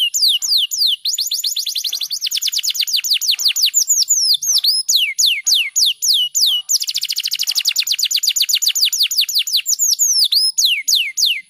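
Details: Canary song meant as a master recording for teaching other canaries, fast and tightly packed: long runs of rapid downward-sweeping whistled notes repeated several times a second, with brief changes of phrase between them.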